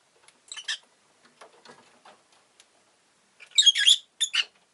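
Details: Rosy-faced lovebird kept as a pet, giving harsh, buzzy chirps: a short double burst near the start, faint scattered ticks in the middle, then a louder rapid cluster of scratchy chirps and one final short burst.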